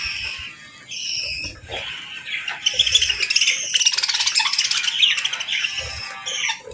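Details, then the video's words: Pet budgerigars in morning light during feeding and bathing; drawn-out whistled notes give way to a fast rattling chatter of rapid chirps near three a second. "Real Budgies Enjoying Morning"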